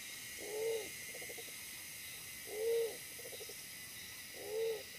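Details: Wild pigeon during trapping with a decoy that is smaller-bodied yet very fierce; three deep, hollow arched coos, about two seconds apart, the first two each followed by a brief stutter of quiet notes, over steady background hiss.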